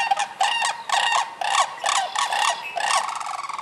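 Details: Sandhill cranes in Michigan, recorded sometime between March and June, giving loud rolling, rattling calls rich in harmonics, delivered in about six quick bursts one after another.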